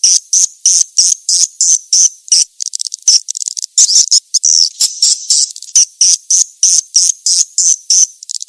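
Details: Edible-nest swiftlet calling sound used to attract swiftlets: high, buzzy chirps repeated about three times a second in an even pulsing series, with a brief tangle of overlapping chirps midway.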